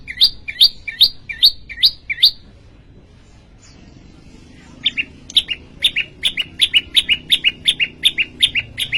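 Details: Prenjak lumut, a prinia, singing vigorously in Indonesia: a fast run of rising, upslurred chirps, a short pause, then a brisker series of sharp, high downward notes, about two to three per second.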